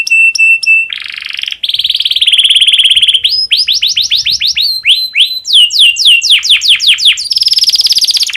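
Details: Canary in breeding condition, used to prompt other canaries to sing: brief ringing notes, a harsh buzzy tour, then a run of down-slurred whistles and a closing buzzy trill.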